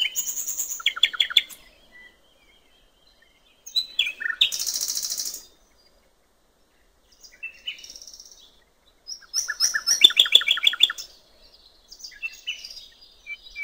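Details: Nightingale singing by a river in open nature: separate phrases divided by silences, with buzzy bursts, a harsh rasping note, soft whistles, and a quick rattling run of repeated notes near the end.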